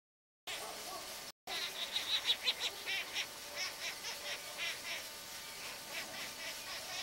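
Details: A young red-breasted toucan near São Paulo, Brazil, rejected from its garden nest and being hand-fed by carers, gives harsh, raspy begging notes, about three a second in uneven bursts, after a brief pause at the start.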